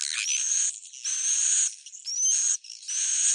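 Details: Bhayangkari roosting sound of swiftlets, two pairs of harsh buzzing bursts, each opening with a bright rising whistle and dropping away into brief quiet.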